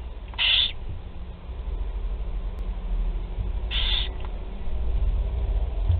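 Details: Four young barn owls being fed at the nest in Théding on 16 July 2020; two short, harsh, breathy hisses about three seconds apart over a low steady hum.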